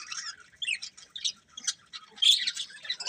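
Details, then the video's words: Breeding pair of budgerigars giving scattered short squawks and chirps, high and scratchy, in separate bursts with quiet gaps between. "Colourful Budgies Chirping Sounds"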